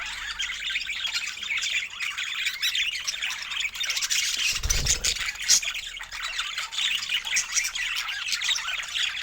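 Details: Budgerigars delighting in fresh food under natural Nordic light keep up an unbroken, overlapping warble of chirps and squeaks, with a brief soft thump midway.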